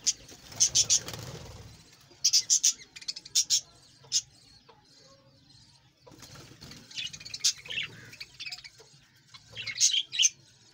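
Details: Budgerigars kept in a breeding colony, short bursts of sharp high chirps in clusters separated by quiet gaps, with softer warbling later and some rustling.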